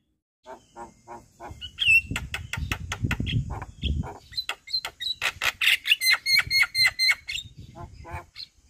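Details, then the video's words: Javan myna (jalak kebo) in full song: soft clicking notes build into loud harsh chatter, then a fast series of sharp squawks and high whistles, with low rumbling noise midway. "JAlak kebo GAcor Full Isian Masteran Jalak Kebo"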